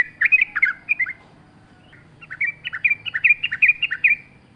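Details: Sooty-headed bulbul in lively full song, a natural-sounding recording: two bursts of quick bubbly, gurgling notes around the upper-middle range, each phrase a tumbling cluster of short slurred syllables with a gap between.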